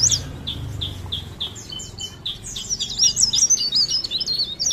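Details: Cikrak daun (leaf warbler) from Pare Pare singing blereng style: spaced short high notes about twice a second, building into a fast, intense jumble of shrill twisting whistles.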